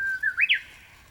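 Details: Japanese bush warbler singing early in the morning in the mountains during wild-vegetable foraging: a long steady whistled note, then quick rising and falling slurred whistles ending in a bright upward flourish, clear and close.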